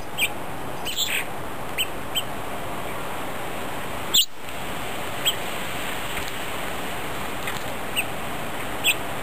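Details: Several grosbeaks feeding together on New Year's Day, 1 January 2010, give short, sharp chip notes at irregular intervals, roughly one a second, over a steady rushing background hiss with one loud click.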